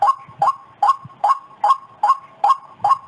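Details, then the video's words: Lure recording of a white-breasted waterhen: short, rising, nasal notes repeated very regularly, roughly two and a half per second, each with a sharp upward flick, against a quiet background. "Suara pikat burung ruak ruak"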